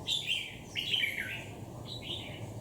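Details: Red-whiskered bulbul, a wild-caught bird held ten days in a cage, gives three bright, rolling warbled phrases, each slurring downward, over a steady low hum.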